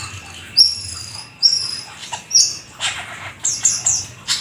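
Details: Jalak keling, the black-winged starling, in gacor full isian song: thin high whistled strokes spaced by pauses, then a run of scratchy, clicking notes toward the end.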